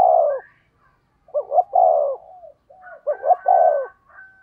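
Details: Decoy spotted dove giving 'thúc gù' coos in the 'thổ' voice: a long low coo, then two phrases of quick double notes ending in a drawn-out, falling tone, with soft trailing murmurs.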